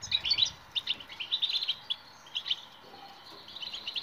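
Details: European goldfinch singing, a recording meant to coax silent birds into song: lively, fast run of bright, high chirps and liquid twitters, delivered almost continuously with tiny gaps.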